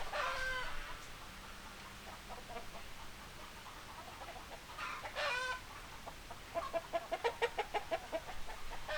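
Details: Hens cluck in bursts: a harmonic cackle at the start, another around five seconds, then a rapid series of short clucks near the end, with quiet stretches between.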